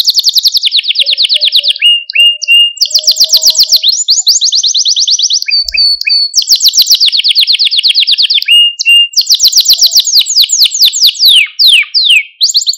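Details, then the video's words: Training song for young canaries, used to excite and stimulate birds; rapid high rolls alternate with sharp downslurred notes and short pauses, with faint low tones audible in the middle. "Kanarya Sesi Ötüş Eğitimi | Kanarya Ötüşü eğitimi | Kanarya Kızıştırma ve Huylandırma"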